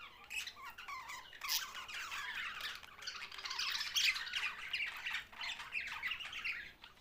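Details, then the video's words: Several budgerigars, Australian parrots, chattering nonstop: a dense, overlapping mix of scratchy squawks, chirps and warbling notes with no real pauses, rising and falling in loudness throughout. "Budgies Australian parrot sounds"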